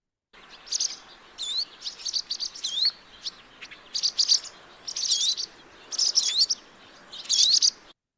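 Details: Barn Swallows give sharp, high alarm notes, used when predators are near, some doubled, in tight bursts about once a second, with slurred rising chirps mixed in and little else heard.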